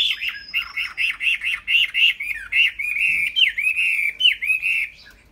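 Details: Chinese hwamei kept in a cage sings a fast series of repeated bubbly whistled notes, then longer swooping descending slurs, ending in a fading pause.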